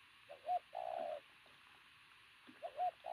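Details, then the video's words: Pigeon of athletic build, prized for loud cooing, gives a short clipped note and then a sustained low hoot, with the next coo starting near the end over faint hiss. "bồ câu tướng lực sĩ,,Gù âm to cực tốt"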